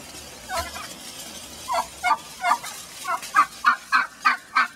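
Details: Mad laying hen in a pen, objecting to being returned to the flock, giving a run of quick turkey-like gobbling clucks that grow louder toward the end, over steady background hiss.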